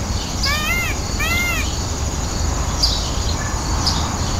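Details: Peacock calling at a zoo while peacocks dance: two arched, nasal, harmonic-rich calls in quick succession near the start, then faint high chirps from other birds over a steady low rumble of background noise.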